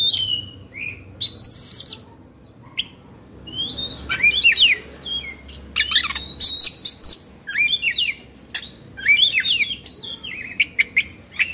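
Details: Oriental magpie-robin in Indonesia, a kept bird agitated and fluffing its tail. Varied loud whistled phrases with steep upward sweeps and chattering notes come in repeated bursts separated by short gaps.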